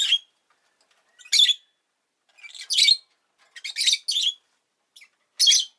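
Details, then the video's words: Agapornis roseicollis pet bird chattering in scratchy, buzzy chirps, some doubled, arriving irregularly about every second. "Lovebird Chirping Sounds"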